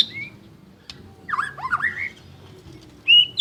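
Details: White-rumped shama, a champion singer, giving a brief burst of warbled, slurred notes after a high whistle and a click, ending with a loud sharp high note.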